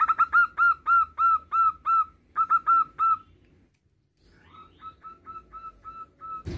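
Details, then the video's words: Male local zebra dove calls for its mate in a fast, rhythmic string of coos, pauses, then gives a softer, quicker series before a sudden loud noise at the end. "Perkutut Lokal Jantan sedang memanggil Pasangannya"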